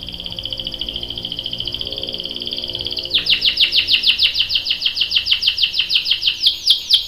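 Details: Female canary calling to a male to prompt his song: a sustained high whistled note for three seconds, then a long series of sharp descending chirps repeated rapidly, quickening near the end.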